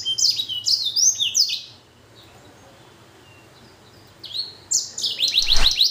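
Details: Aviary-kept blackthroat x canary hybrid finch singing vigorously: a burst of fast, high chirped and slurred notes, a pause of about two seconds, then a rapid run of repeated sharp notes with a dull thump.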